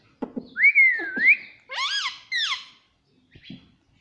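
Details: Talking parrot, said to say "Mummy Papa": a clear, dipping whistle with an upturned end, then two squeaky, arching syllables with rich overtones. A few soft clicks are heard before and after.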